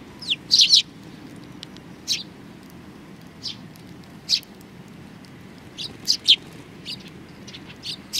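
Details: Several sparrows chirping at Tenmangu shrine, 4 July 2019; bright high chirps, some in quick clusters of two or three, others single and irregularly spaced, over a quiet hum.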